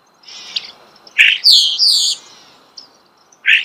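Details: A nearby starling gives a rasping note then two sweet high slurred whistles, preceded by soft chatter and followed by another harsh burst.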